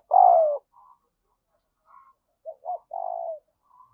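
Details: Spotted dove decoy cooing to entice wild birds: one loud, falling coo, then faint murmurs and a short run of clipped hoots ending in a longer, smooth coo.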